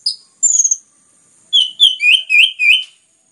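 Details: Orange-headed thrush song, used as a lure to stimulate other birds to sing, described as clear, dense and lively: a high thin whistle, a short trill, a pause, then five loud slurred whistled notes, each about half a second.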